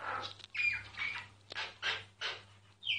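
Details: Singing myna, filmed secretly without disturbing it: harsh squawky bursts with a thin whistled streak, rasping notes coming about every half second, steady low electrical hum underneath.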